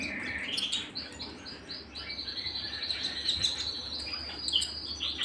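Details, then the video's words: Canary singing at home: soft, fluttering high notes and short trills, then a long, steady, rolling tone running through the last seconds, over a faint low background hum. "canary singing at home"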